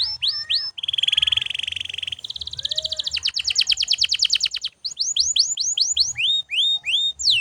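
A canary sings a loud, fast song: rapid buzzy trills, then a long rattling roll, then a run of bright rising whistled notes.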